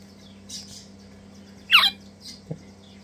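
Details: A pair of Crimson Rosella chicks eagerly taking hand-feeding: soft thin calls, then a single sharp, rasping squawk sweeping downward, followed by a quieter short note and a low hum.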